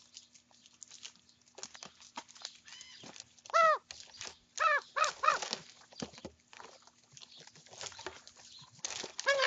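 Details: Young common ravens squabbling over their breakfast; loud, harsh, arched calls in short bursts near four and five seconds, separated by quieter clicks, rustles and softer croaks.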